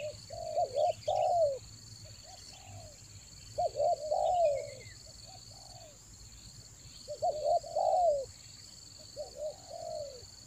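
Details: Spotted dove lure cooing, raja angguk style, from Toba in the rainy season: coo phrases in bursts separated by pauses of about two seconds, each ending in a long descending note; faint chirps and a continuous whine.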